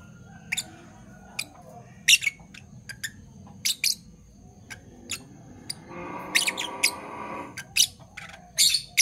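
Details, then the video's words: Parblue violet and parblue turquoise Fischer's lovebirds, a pair, calling in the morning: brief piercing chirps spaced irregularly, with a denser buzzy, chattering passage near the middle before single chirps resume. "Lovebird Chirping Sounds - Parblue Violet Fischer & Parblue Torquoise Fischer"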